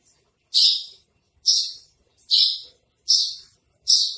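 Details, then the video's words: Javan bush lark of the branjangan trotol type: five separate harsh, buzzy high notes, each a brief rasp falling away, spaced almost a second apart against a quiet background. "masteran branjangan trotol"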